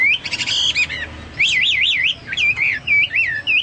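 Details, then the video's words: Energetic Chinese hwamei song, said to resemble cucak Papua or cucak mas: a quick burst of stacked chattering notes, then a wavering run of up-and-down whistles and brief looping phrases. "burung hoa mi seperti cucak Papua atau cucak mas gacor"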